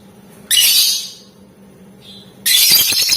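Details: Gacor lovebird in ngetik ngekek singing style, played to stir other lovebirds into calling back: two long grating, hissy shrieks of nearly a second each, separated by a quiet stretch with a faint brief note.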